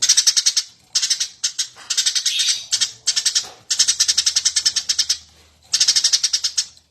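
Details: Eurasian tree sparrow singing nonstop for use as a training master: choppy bursts of bright, rapid chirps, some short and some long, following one another with brief gaps.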